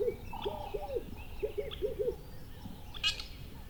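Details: Short burst of bird calls: a few low, arching notes in pairs and a flat mid-pitched tone, then a sharp, bright high chirp near the end, over soft background noise.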